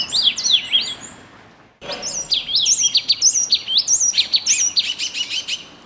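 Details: A bird sings bright, high warbled phrases of quick rising and falling notes. A brief pause breaks the flow near the two-second mark, and then a dense, rapid run of chirps and trills continues steadily to the end.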